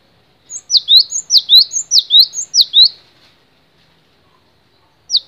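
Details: A single run of about seven ringing, swooping two-part whistles from a cinereous tit, steady and rhythmic, then silence and the start of another phrase at the end.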